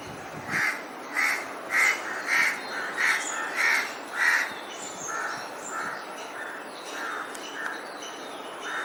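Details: Crow preparing to build a nest, giving a run of about thirteen harsh, evenly spaced caws over nine seconds. The first seven are loud; the rest trail off softer, as if from further away.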